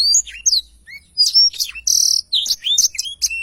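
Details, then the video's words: Black-throated canary in spirited long rolling song: swooping whistles mixed with a harsh buzzy rattle and clipped chirps, all high and rapidly delivered. "Tarikan Suara Blackthroat Super Gacor Ngerol Panjang"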